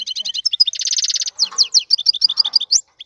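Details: Male European goldfinch singing excitedly to stimulate a female: rapid repeated paired notes, a fast rattled trill, then bright slurred chirps in quick succession.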